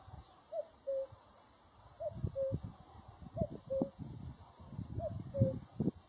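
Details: A cuckoo repeats its two-part cu-coo, a brief higher note followed by a flatter lower one, about every 1.5 seconds. Low thuds and rumbling knocks run underneath throughout.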